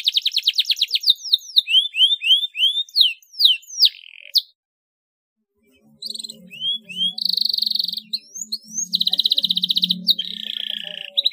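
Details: Clear canary master song with rolls and ngerek phrases: rapid high trills, a series of curved upslurred whistles and buzzy notes, a short silence, then more trills and sweeping notes over a faint low hum.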